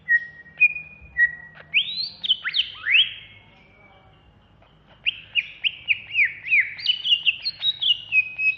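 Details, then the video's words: Banyuwangi greater green leafbird singing in an agitated ngentrok style: clear whistled notes, then a burst of steeply sweeping slurred phrases, a pause, and rapid repeated downslurred whistles and chips. "Cucak Hijau Banyuwangi Ngentrok Ngamuk"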